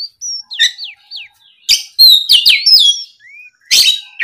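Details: Oriental magpie-robin singing when provoked by a rival: clear whistled notes sliding down and up, mixed with sharp chirps and bright high trills in a varied, rapid phrase.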